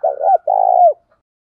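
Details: A single spotted dove phrase from a recording of male and female doves used to make wild birds coo in answer: a short double coo, then a long, steady, throaty note that falls away.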